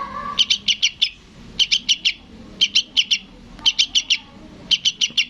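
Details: {'caption': 'Young sooty-headed bulbul chick calling its parent. Five quick bursts of four or five sharp, high chips, about one burst a second, over a faint low hum.'}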